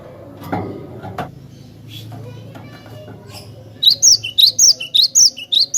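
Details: Cinereous tit used as a tutor song for training other birds: after a quieter stretch with a few clicks and knocks, bright high whistled phrases start, each a rising note and a higher sliding note, repeated rapidly about eight times.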